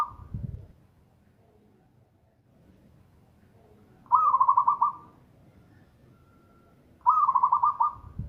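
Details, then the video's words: Zebra dove of a local strain singing loudly and strongly, giving repeated short bubbling coo trills of about eight beats each, spaced roughly three seconds apart, with faint low rumbling between phrases. "Perkutut lokal gacor - suara keras dan kencang - tiếng chim cu vằn - เสียงนกเขาชวา - merbok"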